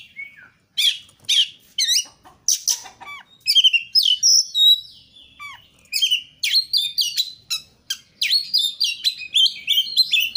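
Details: Lively Oriental magpie-robin song, offered as a lure so a kacer sings freely: clipped sharp notes, then rising and falling whistled runs, gaining pace into a dense, steady stream of high chirps.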